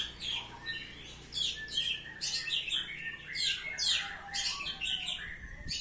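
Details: Dense ngeplong singing by an Oriental magpie-robin: a continuous run of loud, harsh, rapid chirps and trills that barely pauses, over a faint low hum.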